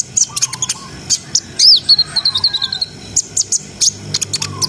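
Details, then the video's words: Brown-throated sunbird singing constantly in a rapid, continuous, high-pitched style, played to raise breeding arousal in untrained birds: sharp high chirps and ticks, with short rising whistles and a brief warbled phrase in the middle. "SUARA KONIN GACOR NGRIWIK NGEROL SAMBUNG NEMBAK !! COCOK BUAT NAIKNA BIRAHI BAHAN"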